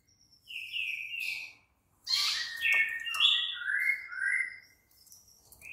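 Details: White-rumped shama (murai batu) night-time lure song meant to make a caged bird answer and sing; two bursts of bright whistled, rising and falling phrases separated by a short pause.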